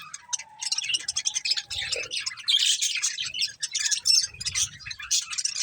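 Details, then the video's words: Pet budgerigars feeding on corn: a short low whistle, then quick bursts of high, buzzy chirping and chattering warble that grow louder and busier, with faint rustling below. "Cute Budgies Enjoying Eating Corn | Love Birds Chirping Sounds"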